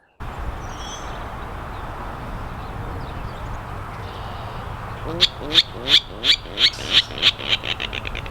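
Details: A Virginia Rail out of the reeds at Horn Pond, eastern Massachusetts, in May during spring migration, calls loudly: about ten harsh, clipped notes, quickening and fading, after quiet marsh background; another answers from the reeds, likely a breeding pair.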